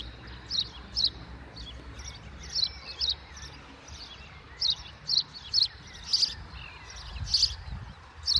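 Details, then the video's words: Birds singing in a school yard: short, sharp high chirps repeated irregularly, roughly a dozen over eight seconds, some in quick pairs, above a steady low rumble of background noise. "Birds Singing in the School Yard"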